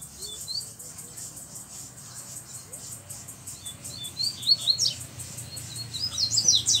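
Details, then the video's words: Black double-collared seedeater with a bluish-white bill, out of its cage, singing: faint high chirps at first, then loud sharp high-pitched slurred notes in quick bursts, with background hiss. "Coleiro Preto do Bico Branco Azulado Solto Batendo Firme!!!"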